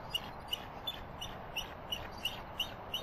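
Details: A pair of bald eagles at their nest in Redding, California give a joint alert call at another bird flying over, possibly a turkey vulture or young bald eagle: thin, high chirped notes, about eight in three seconds, over soft hiss.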